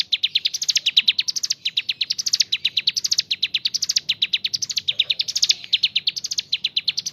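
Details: Gacor mountain leaf warbler delivering a long unbroken stream of sharp high notes, each run climbing upward then restarting, kapas tembak filling style.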